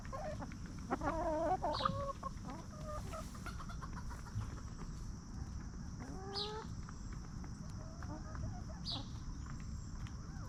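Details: Free-range hens scratching and feeding as they roam a backyard farm, clucking peacefully; a run of wavering stacked clucks early, then scattered short rising calls every couple of seconds over a constant low hum.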